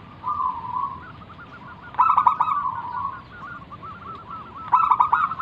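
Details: Singing local zebra dove meant to coax other doves into calling back; smooth purring coos alternate with two loud staccato bursts of quick pulsed notes, steady hiss underneath.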